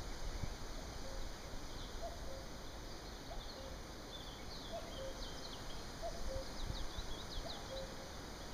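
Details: Common cuckoo (Cuculus canorus) giving soft, distant two-note 'cu-ckoo' song, high then lower, about every second, under heavy wind rumble, with faint chirps from other small birds.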